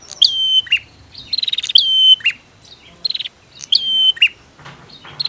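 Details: Female and male prinias trading calls, meant to make birds that have stopped singing start again. A busy exchange of high whistled notes with steep drops, stuttering tick series and short sharp chips.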